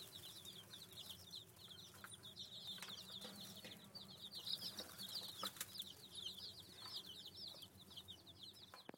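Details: Many chicks hanging around at a farm store peep steadily: a sustained mass of high squeaky chirps, some louder bursts, plus occasional sharp knocks and a soft background drone.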